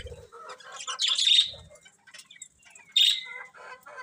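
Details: Colourful budgies chirping: soft warbling chatter, then two loud sharp high chirps about two seconds apart, the second trailing into a falling whistle.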